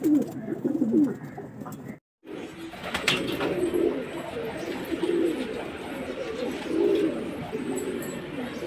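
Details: Low, throaty pigeon cooing in rounded bursts every second or so, interrupted early by a short break, with mild background noise.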